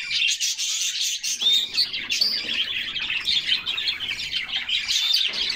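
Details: A group of canaries bathing in summer, splashing about: dense, bright chirping and twittered song phrases fill the clip, with a few clear whistled notes around the middle and near the end.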